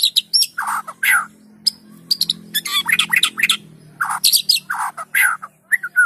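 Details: White-rumped shama singing to prompt other shamas to sing: bursts of harsh chattering and scratchy notes, mixed with short high squeaks, in fast irregular phrases with brief pauses between them.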